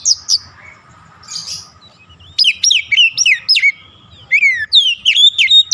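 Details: Oriental magpie-robin song meant to provoke silent birds into singing: two high chips, a buzzy burst, a quiet gap, then a rapid string of loud slurred whistles and chirps.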